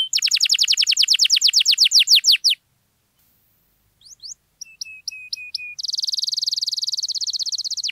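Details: Canary song for prompting quiet canaries: a quick series of rising chirps, a pause, scattered short notes and flat whistles, then a long dense buzzing trill.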